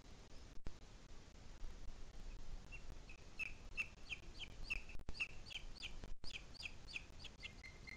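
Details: Booted eagle in the Sierra de Guadarrama on 2 July 2021 at 17:53 giving a rapid series of shrill, high, clipped notes, about three per second, over a steady low rumble of wind or distant noise.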